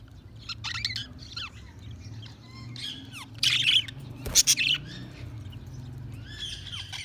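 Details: Several budgies keep up soft warbling chatter of bending squeaky notes, broken by a few louder harsh chirps near the middle, over a low background hum.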